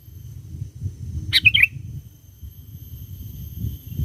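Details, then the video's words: Actively singing sooty-headed bulbul, recorded as a lure for wild bulbuls. A single quick, bubbling phrase of several sharp notes rises above a steady low hum. "Pikat Burung Kutilang Gacor Memanggil Kutilang Liar"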